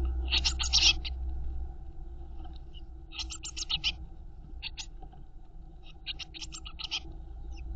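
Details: In a nest box, Eurasian blue tit chicks being fed by their mother give three separated clusters of sharp, high, hissing begging notes over a constant low hum.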